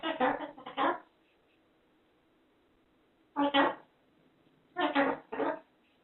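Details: A white cockatoo chatters in its own speech-like language built from repeated 'Maro-chan' and 'Marochaka', three short harsh bursts about two seconds apart, in a quiet room.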